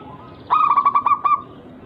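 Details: Local zebra dove singing its unique rare rhythm, used to coax rivals to answer: a short burst of about five quick, warm cooing notes, with the last one drawn out slightly longer.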